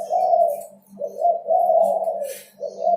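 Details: Spotted dove in full song, recorded as a lure for other birds: drawn-out mellow coos running almost continuously, with a brief dip between phrases and a faint steady hum underneath.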